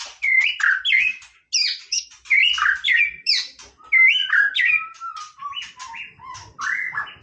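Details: White-rumped shama singing casually, delivering loud, varied phrases of clear looping whistles mixed with sharp high notes, each phrase about half a second, in quick succession.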